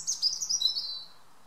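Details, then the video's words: A European robin in a garden, evening: one brief phrase of rapid, high tinkling notes descending in pitch, then silence. "A Robin's evening song."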